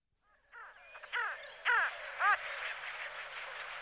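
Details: A pin-tailed sandgrouse (Pterocles alchata) gives three harsh, nasal, arched calls about half a second apart, over a steady rushing hiss like wind.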